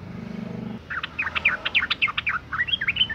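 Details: Sooty-headed bulbul female in breeding condition calling males, used as a lure: after a low engine-like hum, a fast chatter of chirped notes, roughly three to four per second, continues to the end.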